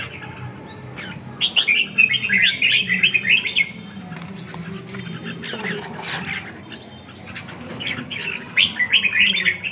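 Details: Red-whiskered bulbul singing bright, warbled whistled phrases in short bursts, with a rising upslurred note before several phrases, over a low background hum.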